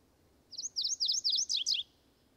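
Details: A male MacGillivray's warbler, newly arrived from the tropics, sings while marking his territory: a quick, high series of about five rolling two-note phrases ending in a few lower, down-slurred notes, over faint background hiss.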